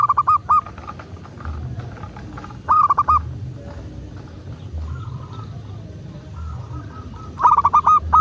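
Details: Local zebra dove, recorded to encourage doves to call: bursts of stuttering, hollow coo notes at the start, near three seconds and at the end, separated by quieter soft cooing and background hum.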